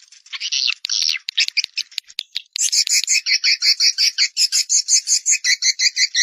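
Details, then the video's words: Collocalia vestita swiftlet call: a few buzzy, scratchy bursts and scattered clicks, then a steady train of bright, paired chirps close to three per second. "Swallow Calling Sound (call voice)"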